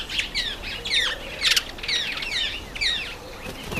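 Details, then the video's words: Red-faced mousebird at a birdbath: a rapid run of high, thin whistled notes, several sliding downward, given about twice a second, with soft bursts of wing flapping among them. "Redfaced Mousebird at the birdbath"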